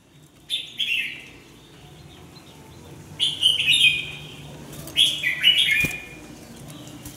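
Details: Red-whiskered bulbul during song training, lively and fast. Three clear warbled phrases of bright, down-slurred whistles arrive about two seconds apart, with a single sharp knock near the end.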